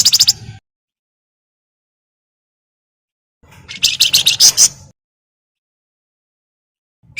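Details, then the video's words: Javan myna chattering loudly as a lure for other birds: a brief scratchy burst, a long silence, then a run of about seven fast, harsh, buzzy notes, then another sharp note. "BURUNG FLAMBOYAN GACOR CRECETAN BUAT PANCINGAN"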